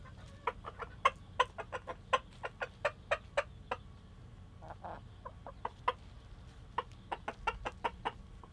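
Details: Rooster food call to hens, telling them to come and eat: long bursts of quick, clipped clucks, roughly three per second, a brief pause midway with softer muttering, then another rapid run; faint low background noise throughout.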